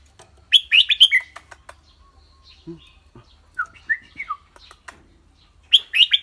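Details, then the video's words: Clear-voiced caged red-whiskered bulbul, singing and chattering rik-rik: a burst of rapid sharp notes, then a softer run of three or four falling whistles, and another quick bright burst at the end; faint human voice. "นกกรงหัวจุก เจ้าขวัญโชค เสียงใส ๆ ทั้งร้องทั้งริกๆสะใจๆครับ"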